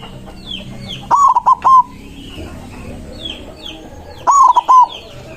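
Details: Agitated white zebra dove in full voice, singing to challenge rivals. Two phrases about three seconds apart, each a swelling hooked coo followed by two or three quick clipped coos. Other small birds chirp with high slurred notes in the background.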